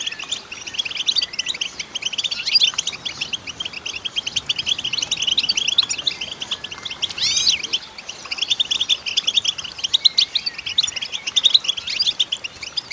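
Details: Long run of song from a female goldfinch: unbroken fast twittering of high chirps, with a brief burst of sweeping slurred notes midway before the twitter resumes.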